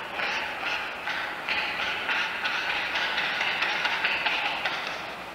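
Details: An Oilbird gives rapid, sharp clacking clicks, about two or three a second, used for echolocation and echoing in a resonant space.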